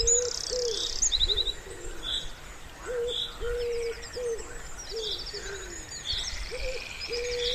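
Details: Soft, hooting wood pigeon calls at a pond in spring, short even coos repeated through the clip, set against scattered high chirping and trilling from smaller birds.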